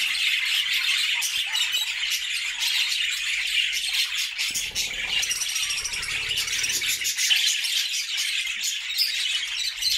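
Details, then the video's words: Happy budgerigar flock singing inside a new homemade cage; an unbroken wash of high chattering and twittering from many birds, with a soft low thumping rumble in the middle section. "Budgie sounds to make them sing!!"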